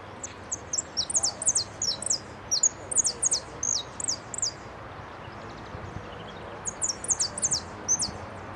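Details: Saffron finch singing in a competition where it took second place, repique style, recorded 15 January 2012: high, thin whistled notes in quick bursts of sharp downslurred chips, repeated phrases separated by brief pauses, over steady low background hum.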